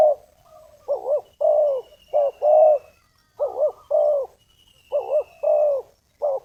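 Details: Spotted dove cooing to attract wild doves for trapping with a snare line: low, hollow paired notes, a brief two-pulse note then a longer, steady coo, repeated about every second and a half, with faint high whistles behind.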